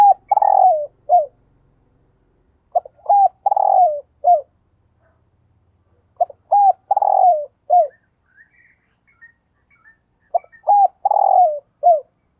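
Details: Thúc gù cooing from a spotted dove used as a lure: four phrases of short lead-in notes, a long warbling coo and a clipped final note, spaced about three seconds apart, with faint chirps between phrases.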